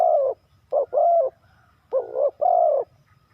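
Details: A spotted dove's mellow coos: a long falling coo, then two pairs of one quick note and one fuller drawn coo. Quiet background.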